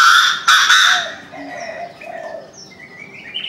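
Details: Morning call of a Chinese francolin opening with two loud, rasping, broad bursts in the first second, then quieter chirps from other birds continuing in the background.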